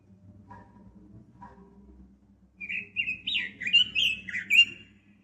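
A red-billed leiothrix sings a quick run of clear, warbled whistles, rising and falling over about two seconds, after a low background hum.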